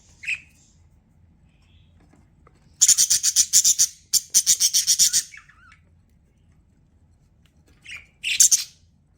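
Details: Pet budgie chattering in a rapid run of harsh, buzzy chirps for about two seconds, a short pause, then another burst, framed by single squawky call notes before and after.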